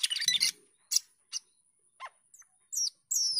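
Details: Cucak keling, also called jalak keling, a starling singing energetically in the gacor teler style: a harsh chattering burst, then scattered short notes and high thin whistles sliding downward, separated by brief silences.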